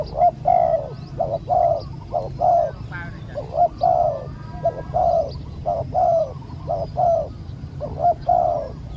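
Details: Live decoy session with spotted doves, luring and catching a small-voiced wild bird that took long to descend. Mellow coos repeat roughly every second in steady runs, with faint chirps and low hum beneath.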